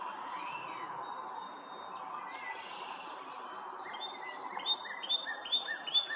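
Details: Brown creeper calling at Nimisila Reservoir, Summit County, Ohio, on March 13, 2020: a single thin, very high, drawn-out note near the start, followed by softer scattered chirps from other birds over low background rumble.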